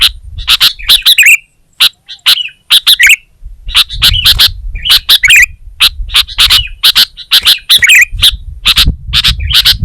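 Sooty-headed bulbul giving loud, bright chirps and bubbly phrases in quick bursts, pausing briefly between groups; a low rumble underneath.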